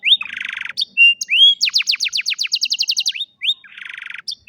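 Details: Old canary in afternoon song: a rising whistle and buzzy rattle, then a rapid run of about fifteen crisp repeated notes, ending in another dry buzzing trill.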